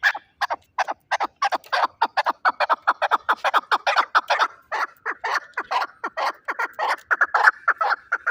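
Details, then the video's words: Fighting chukar partridge from Shahritus, Tajikistan, calling nonstop with fast, rhythmic chuk-chuk notes, about two per second, throughout eight seconds. "Кабки Шаҳритус ҷангӣ"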